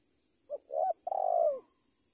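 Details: A spotted dove in training utters one cooing phrase: two quick short notes, then a drawn-out, slightly quavering coo that sinks at the end, over a quiet background with a steady high hum.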